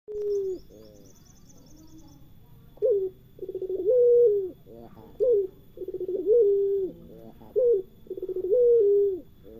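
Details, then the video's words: Puter pelung dove cooing: an opening low coo, a pause, then repeated phrases of a short stepped note followed by a longer, rolling, slightly falling coo, about three phrase pairs, with faint high chirps early on. "suara burung puter pelung"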